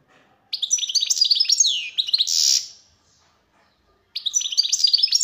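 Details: European goldfinch singing, 2023: a rapid, tinkling run of high twittered notes, a short harsh buzzy note, a silent pause, then the bright liquid twitter starts again. The background is quiet.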